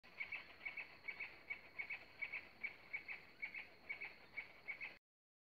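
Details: White-fronted Woodpecker in Catamarca, Argentina, giving sharp, high doubled notes, repeated about twice a second, over a steady high hiss that may be insects.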